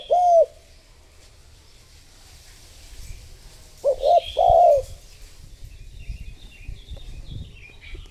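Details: Spotted dove used as a lure to attract others gives one long coo, then after a pause a stuttered pair of coos and a drawn-out coo; soft rustling and distant bird twitter behind.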